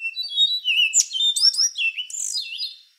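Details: Rufous-brown solitaire, an endangered thrush, singing a fast run of high, sliding whistled and ringing notes with quick buzzy flourishes, one continuous phrase of about three seconds.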